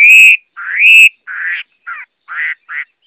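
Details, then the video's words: Chinese hwamei (Garrulax canorus) singing: loud rising whistles followed by a series of short buzzy, slurred phrases with brief pauses between, in a clean recording with no other sounds. "Tiếng Họa Mi hót | The sound of the bird Garrulax canorus"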